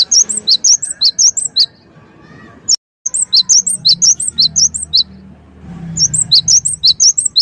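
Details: Cinereous tit (gelatik wingko) lure song to provoke other birds: choppy bursts of shrill repeated notes broken by pauses and an abrupt cut, with faint low background hum.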